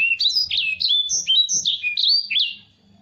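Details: A Black-throated canary, kept as a tutor bird for other birds, sings a fast, unbroken warble of high, twittering notes that rise and dip for about two and a half seconds. A faint low hum sits underneath.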